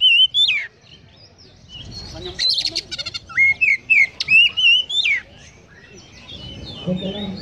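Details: Oriental magpie-robin in energetic 'konslet' song filled with sparrow mimicry, opening with a loud slurred whistle, then a string of chattering bursts and quick upward-flicking whistled notes before fading to quiet background.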